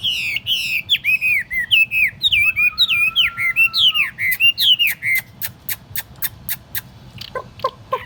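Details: Chinese hwamei, a tame cage bird on a tabletop, delivers a fast string of looping slurred whistles over a long low whistle, then switches to a series of sharp, evenly spaced ticking notes.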